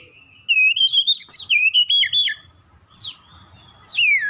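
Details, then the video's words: Lure song of an Oriental magpie-robin, played to make rival birds respond and sing: a rapid run of bright whistles and rising-falling slurs, a pause, then two more downslurred whistles. "KACER LAIN LANGSUNG RESPON GACOR SEKALI PANCING"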